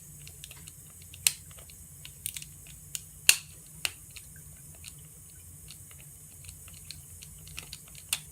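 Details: Scattered crisp ticks and crunching noises over a low hum indoors, with no vocal sounds.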